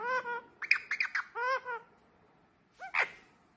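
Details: A hand-reared baby pallid/ino green Indian ringneck parakeet talks, apparently saying "What you doing?", in a run of short, harmonic, speech-like syllables, pauses, then gives two sharper squawky notes.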